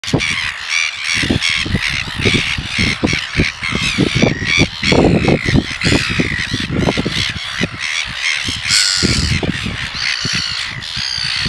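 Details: A pair of red-billed gulls at Taiaroa Head, Otago Peninsula, during courtship feeding, one begging by tapping the other's bill, give harsh, rapid, overlapping squawks almost without pause.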